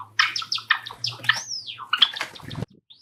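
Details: Pet Java sparrow indoors, one of five kept together, singing a courtship song: quick run of sharp chirped notes, a smooth whistled rising-then-falling sweep midway, then more clipped chirps and a soft rising note at the end.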